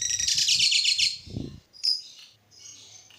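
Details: Lovebird song meant to set other lovebirds singing: a burst of rapid, harsh high chattering notes for about a second, then a sharp squeak and softer trailing twitters, with faint low knocking in the background.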